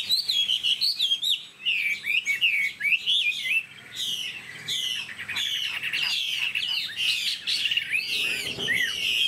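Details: Caged Chinese hwamei, a pure bird of tall stance, sings loud, rich whistled phrases with sharp high notes and rapid warbling, pausing briefly before continuing with varied, bubbling notes.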